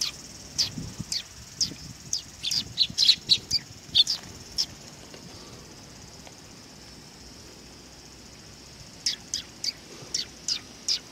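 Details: Sparrows arriving for food at a Tenmangu shrine on 18 August 2020 give a run of crisp high chirps, fall quiet for several seconds, then end with a fresh series of thin tweets.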